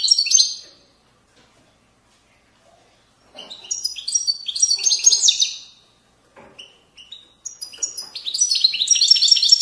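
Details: Widani-style European goldfinch song from Moroccan riverside valleys, recorded 2020. Short bursts of bright high twitters and rattling buzzy phrases come between gaps of near silence, ending in a longer run of chattering notes.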